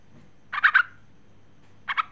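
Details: Female sooty-headed bulbul summoning the male with two tight bursts of three bright, bubbling notes, about one and a half seconds apart.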